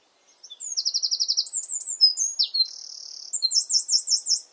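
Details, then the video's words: Garden-singing Eurasian wren, slightly hidden from view, delivering an explosive high song: a quick stuttering trill, short whistled slurs, a steady dry rattle, then a run of clear repeated bright notes to finish. "Wren Song"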